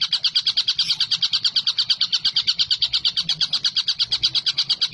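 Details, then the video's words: Collared kingfisher, a long-running recording used to tutor songbirds such as white-rumped shama, green leafbird and lovebird. Sharp, dry notes repeat in a fast, steady chatter of about eight per second throughout, with faint low rumble beneath. "TENGKEK BUTO GACOR"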